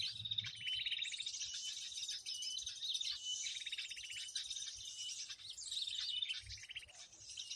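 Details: Bird-trapping lure of many noisy birds calling together, meant to bring birds onto lime sticks: busy high chirps, sharp squeaks and repeated dry trill bursts, nearly free of background noise.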